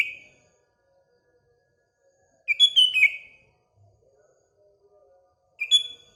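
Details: Morning song of a sooty-headed bulbul: brief bubbly whistled phrases, one near the start, a fuller warbling phrase after two seconds, and another after five seconds, with quiet gaps between.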